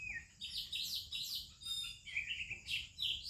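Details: In the Indian morning, an Oriental magpie-robin sings with other birds about: loud, rich whistled phrases with buzzy slides and trilled ends, delivered in quick bursts, backed by a thin continuous insect whine.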